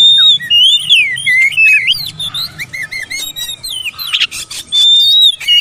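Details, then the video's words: Oriental magpie-robin training song for birds that will not sing: busy sequence of looping, wavering whistles and quick chips, a buzzy rasp midway, ending on a long level whistle. "TERAPI MASTERAN BURUNG KACER BISU MALAS BUNYI"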